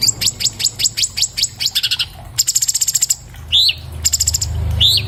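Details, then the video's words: Orange-bellied leafbird (Chloropsis hardwickii), recorded on an iPhone 7 Plus for training cage birds, sings fast bright chattering trills: rapid descending high notes, quick repeated chips and rising slurred whistles, with a low hum beneath. "MASTERAN BURUNG CUCAK CUNGKOK SPEED RAPAT SUARA JERNIH"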